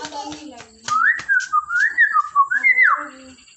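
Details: A greeting myna gives a fluid whistled phrase of gliding notes that rise and fall in pitch, ending on a higher swooping note, after brief speech-like sounds indoors.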